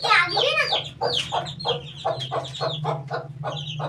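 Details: Eighteen-day-old chicken chick: fast, high chirping notes and lower clucking pulses over a steady low hum throughout.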